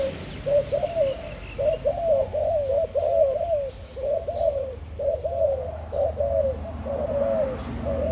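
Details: Newly acquired spotted dove cooing a steady series of about ten soft, low rolling coo phrases at regular intervals, with a faint constant low hum underneath.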